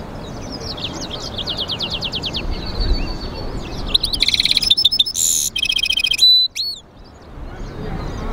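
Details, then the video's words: Goldfinch-canary mule in song, opening with a fast, thin rattling trill. After a pause it gives a loud burst of rich twittering notes with a short rasping buzz, then a single clear whistle. A soft noisy background runs throughout. "European Goldfinch mule singing"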